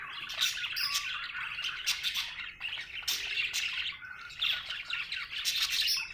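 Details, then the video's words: A happy budgie keeps up a busy, scratchy warbling chatter mixed with high squeaks, short whistles and clicking notes, swelling in loud bursts near the start, middle and end. "Happy budgie chirping sound"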